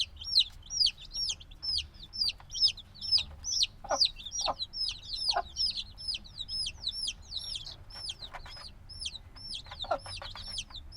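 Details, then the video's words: Noisy newly hatched black chicks, a few days old and still wanting their mother's warmth, calling in a constant chorus of piercing high peeps, overlapping and irregular, punctuated by soft tapping sounds, captured binaurally. "Baby Chicken Sounds - Baby Chicken Chirping Noises"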